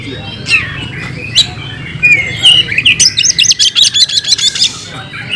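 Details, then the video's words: Caged oriental magpie-robin in fighting song showing off its mimicked phrases: scattered whistles and chips, then a rapid, even train of high buzzy notes, about two to three per second, over a low rumble. "Kacer gacor tarung bongkar isian"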